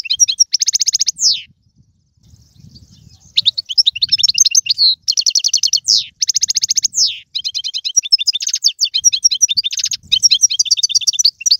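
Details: Goldfinch song in the tiwawati, galoubi and serfati styles: an almost unbroken stream of loud buzzy trills and quick tinkling notes. After a brief pause near the start, the phrases follow one another tightly.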